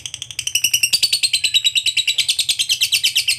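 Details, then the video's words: Lovebird ngekek trill for getting other lovebirds singing: rapid rattling high notes, about three per second heard as pulses within a continuous chatter, lifting in pitch after the first second and keeping steady. "SUARA BURUNG LOVEBIRD NGEKEK PANJANG TERAMPUH BUAT PANCINGAN LOVEBIRD AGAR CEPAT NGEKEK GACOR"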